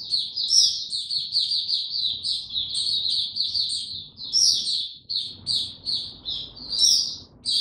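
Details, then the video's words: White-eye (mata puteh) kept without supplements, recorded 29 April 2022, in opening song: dense, high, rapid chirping phrases with occasional sharper accented notes, broken by a brief pause, over steady low background noise. "Mata Puteh Hercules buka sing"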